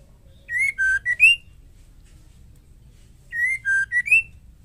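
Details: Singing female white-rumped shama, the song meant to provoke male shamas; two matching whistled phrases roughly three seconds apart, each a steady note, a lower held note, then a sharp upward slur, over low background rumble.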